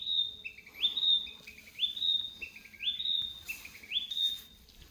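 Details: Little bird's song of repeated rising phrases, each a short low note leaping to a sustained bright whistle, given roughly once per second about four times, with a brief rustle near the end.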